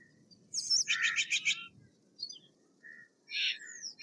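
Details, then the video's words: Steller's jay producing a quick rattling series of about eight harsh notes, then scattered short calls and a final raspy burst, with a soft low background hum. "Steller's jay Sound - Stellar's Jay Singing - Stellar Jay Scream - Stellar Jay Mating Call"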